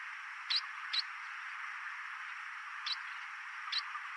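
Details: Chestnut munia (black-headed munia, Lonchura atricapilla), recorded 11 May 2024, giving four brief, thin, high-pitched calls at irregular intervals over a steady background hiss.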